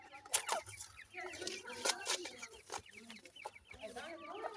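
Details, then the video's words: Several francolin chicks peeping continuously, quick downslurred chirps overlapping, broken by loud sharp clicks and knocks, with faint lower voicing in the background. "mere jani teetar k khobsorat bachay,bhura titar k chicks"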